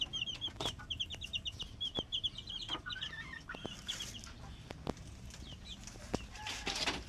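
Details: Several well-fed chickens chatter in fast trills of high peeps, a few drawn-out squeaky notes between runs, while tapping and scuffling sounds come and go.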